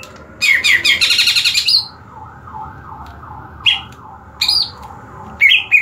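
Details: Cucak ijo, the greater green leafbird, under a song-competition setup: a rapid buzzy trill of repeated chirps, then a series of soft wavering lower notes, followed by scattered loud, sharp chirped phrases.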